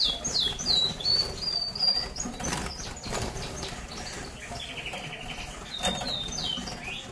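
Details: Agate red mosaic canaries from 2009 sing. Bright whistled and trilled notes open the passage, then a pause filled with fluttering wings. Further high warbled phrases return near the end, over constant tapping and rustling.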